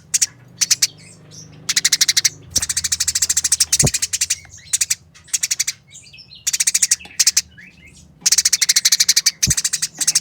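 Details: Fighting Eurasian tree sparrows, heard as clear, rapid, harsh chatter: long runs of tightly packed metallic chirps with brief gaps, some softer twittering between runs, and a couple of sharp clicks.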